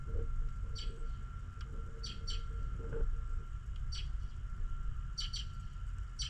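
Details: On a snowy morning, birds chirp in short high notes, often doubled in quick succession and spaced about a second apart, over a deep rumbling background with a faint steady hum and soft lower tones.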